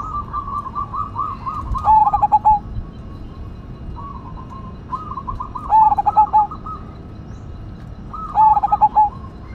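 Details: Cemani Majapahit zebra dove, said to sing often with a strong voice, gives three pulsed cooing phrases about four seconds apart, each a rapid stutter of hollow coos, while other doves coo more quietly in the background.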